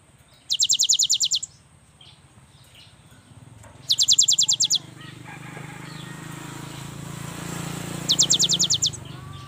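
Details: Young cinereous tit singing steadily, used to prompt lazy birds to sing: three rapid, high, even trills of about ten notes each, spaced several seconds apart, over a low rumbling background.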